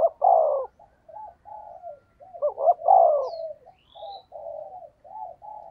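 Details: Spotted dove performing the 'thúc gù' coo to attract wild doves, loud falling coos alternating with strings of quieter, short murmuring notes; a faint high chirp from another bird sounds once.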